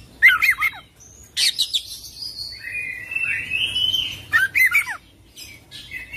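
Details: Kacer, or Oriental magpie-robin, singing gacor with full isian ngerol phrasing. Clipped chattering bursts alternate with a long, slightly wavering whistle, and another chattering burst follows. The passage is clean, with faint low hum beneath.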